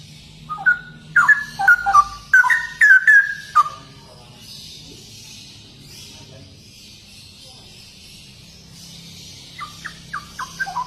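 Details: Ropel song of a straw-headed bulbul: a rapid cluster of bubbling, swooping whistles in the first few seconds, a long quiet gap with soft hiss, then quieter clipped notes near the end.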